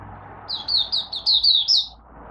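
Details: Malaysian oriental white-eye in a cage, opening its song for the day: a single phrase of six quick, high, sweet slurred whistles, the last note pitched higher, with soft hum underneath.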